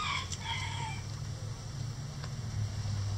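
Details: Chickens in their run pecking at a hanging cabbage ball given as coop enrichment; a few short harmonic squawking calls open the recording, then a steady low mechanical hum carries on alone.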